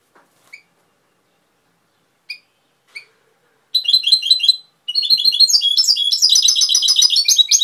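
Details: European goldfinch, Cobia Málaga, singing: a few isolated high chirps spaced out, then a twittering phrase, a short break, and a lively, dense stretch of rapid tinkling trills and buzzy twitters.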